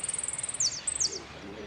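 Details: Saffron finch (Sicalis flaveola), song.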